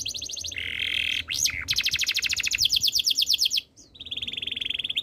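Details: Canary song with a lower warbled roll, a sharp upward-swooping note, then a long fast rattling trill of evenly repeated notes, a short gap, and a steady trill again.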